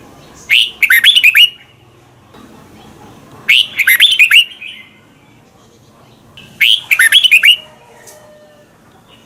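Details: Red-whiskered bulbul from Thailand singing a training song meant for young birds to imitate: three short phrases of rapid, clear, up-and-down whistled notes, one roughly every three seconds, with quiet gaps between.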